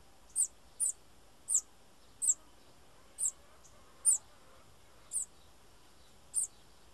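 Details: Bananaquit (Coereba flaveola), call.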